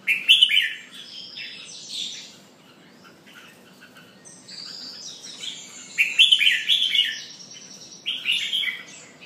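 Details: Red-whiskered bulbul pumping and singing: bright, chattering warbled phrases at about 0.5, 6 and 8.5 seconds, separated by quieter twittering, with steady faint background hiss.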